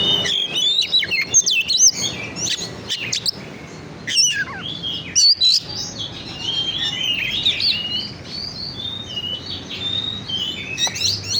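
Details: Kacer, the oriental magpie-robin, in a lure recording meant to provoke birds into song: loud sharp upswept notes and clicks early on, then long flowing sequences of varied whistles and trills, bursts separated by short quiet gaps.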